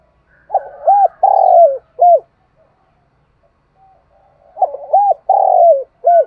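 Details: Spotted dove decoy bird calling the flock in the morning to lure wild doves: two coo phrases about four seconds apart, each a short coo, a rounded coo, a long rolling falling note and a final clipped coo.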